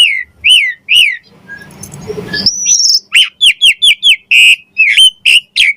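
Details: Javan pied starling singing lively 'gacor mompa' song with varied fills, meant for tutoring and luring other starlings: clear chirped notes, then a brief rough noisy stretch ending in a high rising whistle, followed by quick runs of bright chirps.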